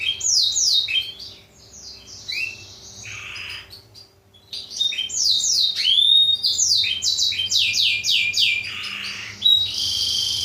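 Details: Black-throated canary singing as a model for training canaries: fast trills of descending notes, brief lulls, a rising-falling sweep, then buzzy notes closing the sequence.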